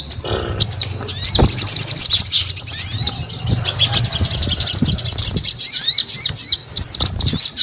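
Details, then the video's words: Crimson sunbird (sogon) singing: a long, high, shimmering twitter sustained for several seconds, followed by separate arched chirps repeated in quick succession, with faint low background noise. "SUARA SOGON GACOR"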